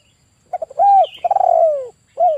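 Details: One full kuk 1 phrase from a male spotted dove kept as a lure for trapping: stuttered low notes, a level coo, a rolling downslurred coo and a short falling final note.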